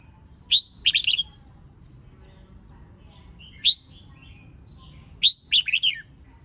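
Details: Singing female red-whiskered bulbul, meant to excite males: sparse bright warbled phrases of rapid slurred notes, one burst early, a lone note midway, then a longer twittering run near the end, with quiet gaps between.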